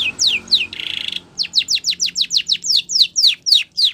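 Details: A Spanish Timbrado canary sings in training song style. Falling whistled sweeps and a short buzzy burst give way to a steady series of quick descending chirps, roughly four per second, over a faint low hum.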